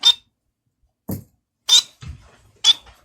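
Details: A male society finch, one of two males singing a love song, gives three short, high, buzzy notes about a second apart, with soft low knocks and rustles between them.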